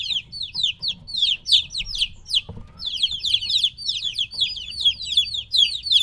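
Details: Several three-week-old chicks separated from their mother, calling noisily: dense, rapid high peeps, each a short falling whistle, overlapping in bursts with brief pauses and faint low rumble beneath.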